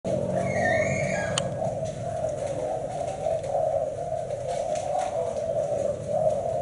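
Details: Spotted dove of the Thai black-spotted type, a bird with a seven-note song, giving a steady low cooing that wavers in pitch and runs through the whole stretch, with a brief higher chirp near the start and a low hum beneath.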